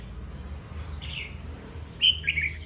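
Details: Wild-caught red-whiskered bulbul, described as singing eagerly, gives a short slurred note near one second, then a brighter pair of whistled, warbling phrases after two seconds, over steady low rumbling background noise.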